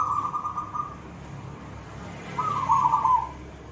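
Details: Silver zebra dove singing actively in the koong voice style: two mellow, quavering cooing phrases about a second long, separated by a pause, over a low background rumble.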